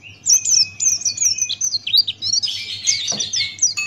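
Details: Male Buxtoni white-eye in full 'ngalas' style, beak wide open, as a tutor recording: rapid high chirps and twittering notes, with slurred whistles and a sustained thin tone, then a burst of dense warbling.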